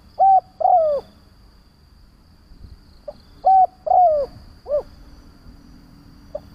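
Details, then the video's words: Spotted dove used as a lure bird, calling to provoke other doves: a cooing phrase of two short hollow notes, a longer falling coo and a brief final note, given twice with a faint steady hum behind. "Tiếng Chim cu Mồi gáy gọi - Chim cu gáy kích bổi nhanh nổi hiệu quả"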